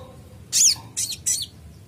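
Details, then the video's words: An Olive-backed Sunbird gives three sharp, very high chirps in about a second, the first with a quick downward slur, over a faint low hiss. "Konin bahan langsung respon bunyi dengar konin gacor ini"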